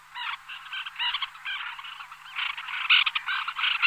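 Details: Small flock of White-winged Terns calling in flight: harsh, rasping, nasal calls in quick overlapping bursts, several birds at once, growing louder toward the end, with no other clear sounds.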